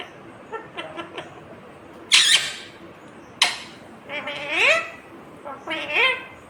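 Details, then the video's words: Indian ringneck parakeet talking indoors: soft clicks, then a bright harsh burst, a sharp click, and two rising, harmonic, voice-like syllables near the end, all over low background hum. "Natural Sound of Talking Ringneck Parrot"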